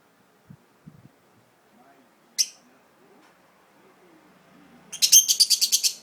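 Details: Pet budgerigar placed somewhere unfamiliar and feeling uneasy: a single sharp, high chirp midway, then a fast burst of about eight bright, harsh chirps at the end; otherwise quiet room.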